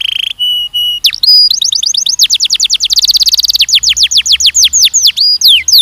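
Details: Canary singing for mating training of young males and females. The song opens with steady whistled tones, then moves into dense rapid trills and quick downward-sweeping notes in varied loud phrases.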